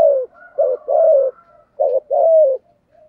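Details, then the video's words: Spotted dove cooing, used to stimulate decoy birds to coo: low hooted phrases, a short note then longer falling coos in two groups, with faint quiet notes between. "Tiếng chim cu gáy kích bổi và tập mồi rất hiệu quả/ cu gay kich boi nhanh noi gù"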